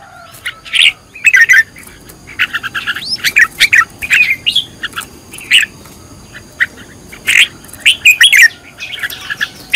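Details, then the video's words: Red-whiskered bulbul being trained as a fired-up decoy bird, singing short bright chirped and warbled phrases in quick bursts, with pauses of under a second between notes, over a faint steady background hiss. "Cách luyện chào mào mồi - căng lửa| luyện chào mào thành mồi, luyện giọng chào mào hót hay"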